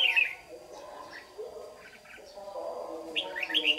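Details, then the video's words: White-cheeked red-whiskered bulbul used as a trapping lure, singing a competitive morning song in Đồng Nai, Vietnam, on 26 June 2019; quick chirpy whistled bursts open and close the stretch, with a low droning background throughout. "Bẫy chào mào Má trắng đấu sáng"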